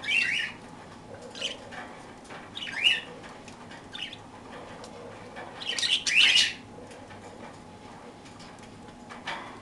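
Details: Parakeets enjoying daily toast give scattered raspy chirps and squawks, some in quick pairs, across a quiet background.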